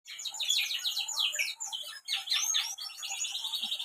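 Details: Canary in Central Java, Indonesia, singing a fast, continuous high warble of trills, buzzy rolls and twittering notes, with two brief pauses.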